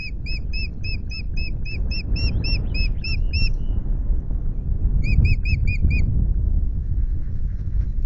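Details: Ospreys changing over on their Loch Garten nest, 10 May, two eggs being incubated: a fast run of about a dozen clear, high piping notes, a pause, then five more, over low rumbling noise.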